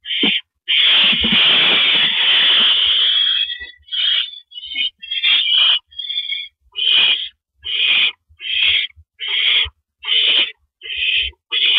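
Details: Owl at a nest at night, 9 April 2012, 7:58 PM, at the first mouse delivery of the night: a long rasping screech of about three seconds, then a run of short harsh hissing bursts roughly once a second.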